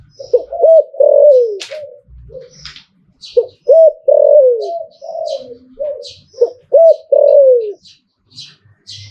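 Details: Thai zebra dove giving liu tan style song, three phrases of quick bouncing coos ending in long downward slides, spaced about three seconds apart, with sharp high chirps from other birds.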